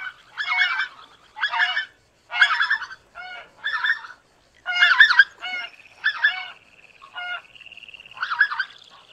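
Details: Greater white-fronted goose honks come in rich, buzzy bursts about a second apart, with a thin steady tone drawn out underneath for a stretch near the end.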